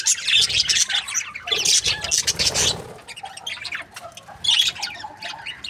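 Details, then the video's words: Budgerigar breeding pairs in a group chatter with dense, scratchy high chirps and rapid warbled twitters in bursts, with brief quieter gaps between flurries. "Amazing budgie chirping sound | breeding pairs"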